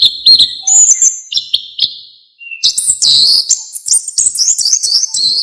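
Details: Orange-headed thrush in full varied song, used as a tutor recording for songbirds: loud whistled and chattering phrases at high pitch, a brief pause midway, then rapid shifting notes.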